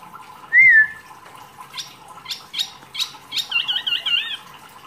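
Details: Wambi mini used as masteran training material for songbirds: one loud rising whistle, scattered sharp clicks, then a wavering, trilled high warble.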